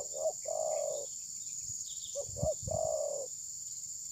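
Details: Spotted dove decoy at a trapping site, phone recording. Two coo phrases of short paired notes and a long even coo, with a few low thumps and a steady high hiss.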